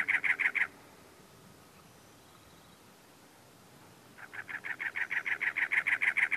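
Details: Male cactus wren calling on territory from cholla cactus in Anza Borrego State Park, San Diego County, California, in April: harsh, rapid chugging notes in a burst at the start, then after a pause a long accelerating series of grating, repeated chatters.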